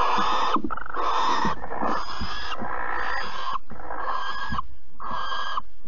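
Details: Barn owls at Alphen on 15 April 2020, recorded around a mouse delivery and mating: harsh, hissing screeches, each about half a second to a second long, following one another almost without pause.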